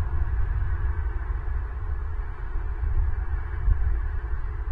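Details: Steady deep rumble and hum, like wind buffeting a microphone, with no animal calls.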